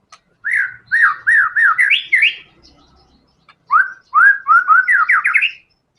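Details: White-rumped shama (murai batu) singing actively in a full fighter style, used to prompt other songbirds to keep singing: a run of loud, clear whistled notes that rise step by step, a short pause, then a second similar run.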